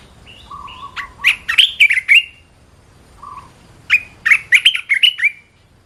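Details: Red-whiskered bulbul, actively singing: two bursts of bright, rapid chirpy and warbled notes, each opening with a short lower whistle, separated by a brief pause, over a faint low hum.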